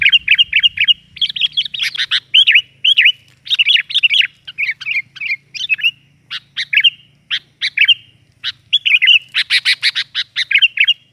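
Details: Sooty-headed bulbul lure sound, lively and noisy: nearly continuous chirps and bubbly warbled phrases with rattling bursts, over a faint low hum.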